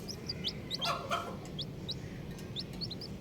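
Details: Colourful baby chickens peep in scattered single notes, each a high, quickly falling chirp, spaced irregularly, with a brief louder rustle near the start and a low steady hum behind.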